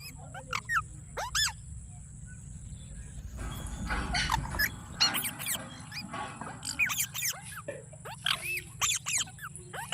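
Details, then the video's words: Green parrot chirping: quick high chirps and short squawks, a burst of noisy chatter in the middle, then more rapid chirps, with a constant low background hum. "Green Parrot Chirping Sounds /Voice"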